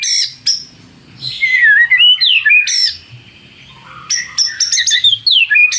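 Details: Lure song of a white-rumped shama, used to make rivals sing back: high sharp notes, descending melodic whistles, a short gap, then a quick mix of high chips and slurred whistles.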